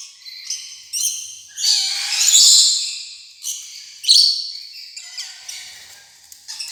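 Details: Rainbow lorikeet giving a run of rasping squawks and shrill screeches mixed with short chirps, loud in places and fading to softer calls toward the end.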